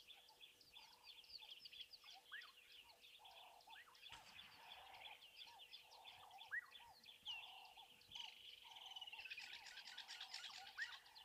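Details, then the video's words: Woodland kingfisher calling near a waterhole on an overcast day, giving a high, sharp note that runs into a fast, slightly falling trill, amid a busy chorus of other birds over a faint steady hum. "There's a woodland kingfisher calling there as well."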